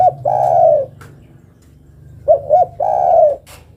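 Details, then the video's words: Calling female spotted dove seeking the male: a long soft coo, then after a gap two short upturned notes and a second long steady coo. A low hum sits beneath. "Suara burung derkuku betina memanggil jantan."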